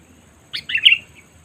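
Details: Lure call of a sooty-headed bulbul, played to draw in wild birds: one brisk bubbly phrase of several clipped, slurred notes, over a quiet low hum.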